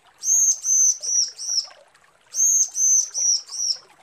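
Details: A female bar-winged prinia calls to attract a male: two even phrases, each of four high, ringing whistled notes in quick succession, separated by a short silence.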